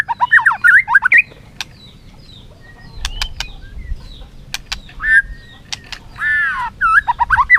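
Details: White-rumped shama in competitive song, flicking its tail. Short twisting warbled phrases are separated by quiet gaps and single sharp clicks.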